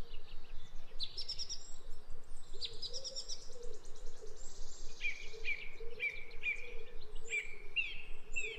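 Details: Zebra finches feeding on natural foods, with buzzy high chatter followed by a run of short nasal beeps repeated about twice a second, set against constant low background noise.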